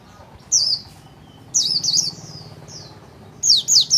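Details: Japanese white-eye in a cage, wing-spreading and singing its 'líu' song: loud high wavering phrases that come in three bursts, the last a sharp, rapidly rising and falling trill.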